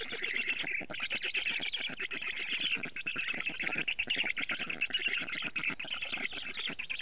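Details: Black stork at a nest in Estonia on 12 June 2018 at 4:56 pm, as a parent arrives with a lot of food; continuous raspy, wheezy squawking in rapid pulses, hoarse and unbroken throughout.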